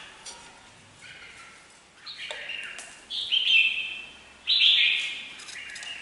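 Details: Red-whiskered bulbul song: soft opening notes building into louder, bubbling whistled phrases that step down in pitch, repeated in quick succession.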